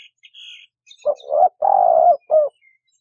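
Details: Dove cooing in a low, hollow voice: a short note, a rising double note, a long steady coo and a final short note, with a faint higher chirp before it.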